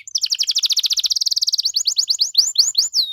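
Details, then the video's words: Canary singing in a lively 'gacor' style with luxurious 'cengkok mewah' phrasing, meant to prompt other canaries to answer: a fast rattling trill of high notes, then a series of upswept whistled slurs. "KENARI GACOR DOR CENGKOK MEWAH BIKIN KENARI LAIN LANGSUNG RESPON BUNYI GACOR"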